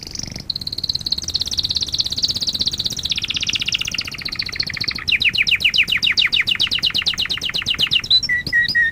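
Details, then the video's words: Canary singing from a lesson recording for teaching young canaries: a buzzy high rolling trill shifting down, then a fast run of rapid chopped notes and a few clear whistled notes at the end. "Kanarya Ötüşü - 1 (Eğitim - Ders Cd'si) / Canary Singing - 1 ( Education - Lessons Cd )"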